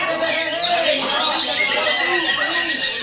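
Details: Oriental magpie-robin (Copsychus saularis), song.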